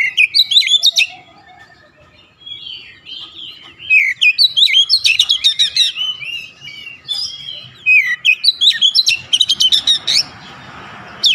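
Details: Oriental magpie-robin (kacer) in full, varied song intended to make stressed birds sing hard: loud chirped phrases repeated in quick series, sweeping whistles between them, and a light hiss near the end.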